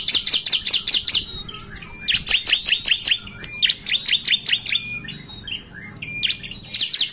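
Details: Ciblek (bar-winged prinia) giving its loud 'narung' song as a lure for other ciblek: fast, insistent runs of shrill high chirps, roughly two or three per second, repeated in several bursts.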